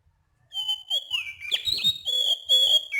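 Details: Oriental magpie-robin calling at night, described as a Sumatran forest bird; a clear, rhythmic phrase of long, high whistled notes with lower, softer warbled notes beneath, delivered in a rapid run after a short silence.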